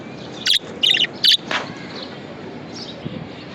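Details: Pet budgie uttering three quick, harsh, scratchy chirps in under a second, followed by one softer note and then faint background hiss.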